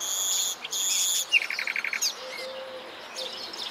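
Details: Common nightingale sings loudly in shady woodland where orchids are flowering: a high, buzzy opening phrase, then a rapid stutter of about seven sharp repeated notes, followed by a soft low whistle.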